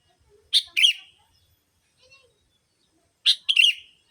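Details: Bulbul-attracting lure of a sooty-headed bulbul: two paired bursts of harsh double chirps, nearly three seconds apart, with scratchy, slurred endings and quiet between them.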